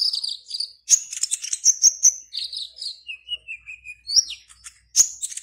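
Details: Caged black-naped oriole competing online from Serang, Banten, Indonesia: rich jumbled high phrases, a lower descending whistled series in the middle, then a sharp upward squeak and rapid chatter.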